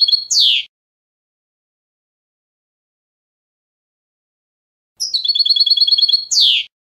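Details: European goldfinch clean song for schooling young goldfinches: a short high trill with a descending sweep, several seconds of silence, then a fresh burst of quick tinkling notes ending in another falling sweep.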